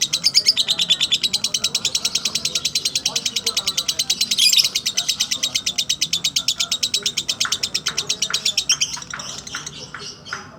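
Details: Slow ngekek from a lovebird: about nine seconds of fast, high, rattling chatter in regular pulses, briefly swelling near the middle, then breaking into scattered separate chirps.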